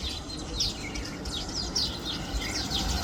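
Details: Weaver birds building hanging nests near Grand Baie on the island of Mauritius; a busy run of short, high chirps and twittering notes, irregular and overlapping, over steady outdoor background noise.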